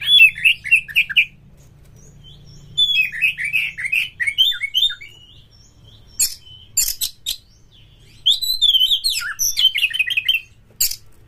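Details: Lure song of an Oriental magpie-robin, meant to set kacer birds singing in breeding condition: three bursts of rapid, varied whistled notes separated by pauses, with sharp clicking noises between.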